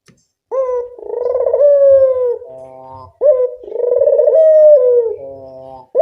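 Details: Local collared dove giving its lure call, two full coos about two and a half seconds apart, each a short rough start, a long vibrating note easing downward and a weaker nasal ending, with a third starting.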